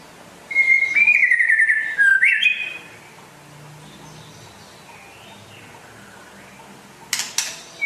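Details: White-rumped shama from West Aceh, a rare bird singing actively: a fluttering whistled phrase that slides down, followed by a quiet pause, then short sharp high notes at the end.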